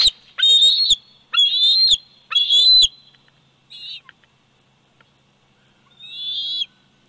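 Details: Bald eagle eaglet, 104 days old, on its Big Bear Valley nest, captured by nest cam on 27 July 2019: three loud, shrill whistled squeals in quick succession, then two softer, shorter whistles after a pause.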